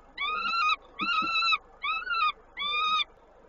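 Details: Peregrine falcon at a nest in Koszalin, Poland, on 19 May 2022, during feeding: four drawn-out, harmonic wailing calls of about half a second each, repeated roughly every 0.8 seconds, with faint low background noise.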